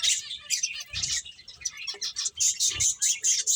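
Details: Busy finch chatter while playing: sharp, very high chirps come in quick, uneven bursts, a few lower notes mixed in.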